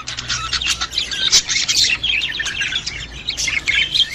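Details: Lively budgerigar chatter to stimulate a female to breed: quick chirps, trills and scratchy notes packed densely, multiple birds vocalizing together.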